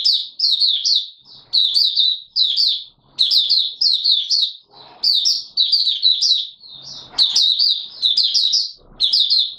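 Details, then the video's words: Mata Puteh Raja white-eye opening its song, not yet in full condition, recorded 9 May 2022: a fast run of bright, high twittering phrases, each a cluster of slurred whistled notes, following one another with brief gaps. "Mata Puteh Raja V1 buka sing not full condition yet"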